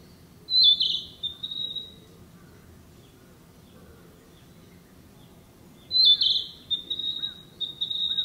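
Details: Narcissus flycatcher, a summer visitor breeding in the area, singing in woodland: two bright, high whistled phrases about five seconds apart, each a sharp rising note followed by a thinner trailing warble, with a quiet background.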